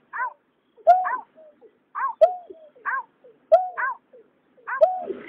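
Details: Calls of a white-breasted waterhen pair, male and female, recorded in 2021: nasal, croaking double notes alternating low and high, repeated about once a second, with faint softer grunts between and a rougher rasp at the end.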